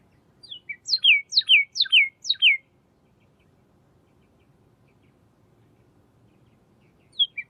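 A Pyrrhuloxia gives a quick run of five clear, steeply falling whistles in about two seconds. After a quiet pause, one more begins. Faint low background hum.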